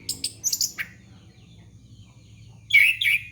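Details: Orange-headed thrush song for luring young birds: a cluster of high squeaky notes, a pause of nearly two seconds, then a rich warbled phrase, with low hum underneath.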